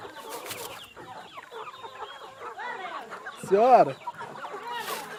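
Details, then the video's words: Chickens being fed, with scattered arched clucks and one loud, sharp, bent squawk near the middle standing out above the quieter flock murmur. "Tratando das Galinhas Caipira ou india"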